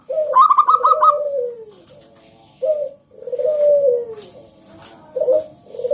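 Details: Singing local zebra dove used as a lure to make other doves sing: opens with a fast, stuttered, higher trill, then long, descending, mellow coos, each phrase beginning with a short, clipped note.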